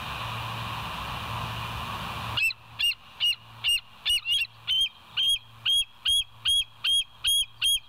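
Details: Bald eagles at West End seen on a live nest camera on 22 July 2023 at 05:06; around fourteen high, piping chirps, repeated steadily for over five seconds above a low hum.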